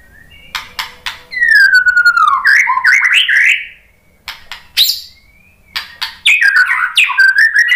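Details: White-rumped shama (murai batu) lure song: a long descending whistle that turns into warbled rising notes, mixed with crisp clicks and snapping calls, then a jumble of quick varied phrases.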